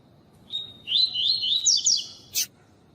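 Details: Double-collared seedeater (coleiro) sings a "tui tui" training song, with a female on the audio: a thin steady note followed by a quick run of high, tumbling twittered phrases, ending in a brief burst.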